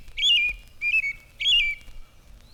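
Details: Loud, clear American Robin song of three short, carolling whistled phrases, each rising and then dropping, a cheer-up cheerily pattern given in quick succession with a phoebe singing in the background.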